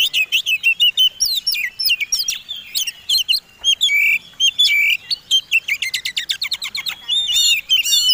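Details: Oriental magpie-robin, a fighting contest bird, in a combination song used as a lure to provoke other birds to sing: a fast run of varied whistled and sharp chirping notes, rising and falling, ending in dense rapid chatter.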